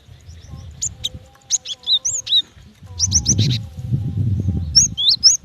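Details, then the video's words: A female cinereous tit calls for the male with scattered thin, upslurred chirps and short hooked notes. A dense group of quick chirps comes after three seconds, with low rumbling noise underneath. "Suara gelatik batu betina"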